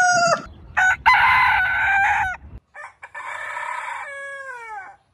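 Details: Roosters crowing, from a collection spanning many breeds: a brief harmonic call, then a loud, rough crow lasting over a second with strong overtones, and a second long crow ending in a downward-sliding drawn-out note. Abrupt cuts separate the recordings.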